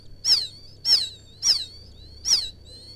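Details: Quail chick of the field quail (gemak) calling for its mother, used as a trapping lure: four high, sharply descending chirps roughly every 0.6 seconds with a thin steady whine underneath and low hum.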